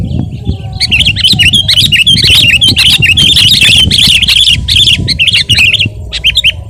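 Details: Sooty-headed bulbul in full voice, used to train and provoke other birds: a dense chattering stream of warbled notes, roughly two or three a second, with clicks and a low hum behind.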